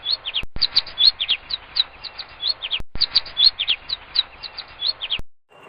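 A finch gives a steady stream of short, high chirps and twitters, several per second, broken by a couple of brief clicks.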